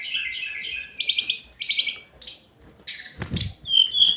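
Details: Daily singing of a hill blue flycatcher (tledekan gunung): bright trilled phrases and high sliding whistles, broken by short pauses, with a brief low thump in the middle.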